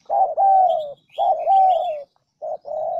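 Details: Spotted dove cooing on a lure recording meant to make wild doves answer: two long, throaty, slightly wavering coos, then short broken notes, with faint high twittering of other birds.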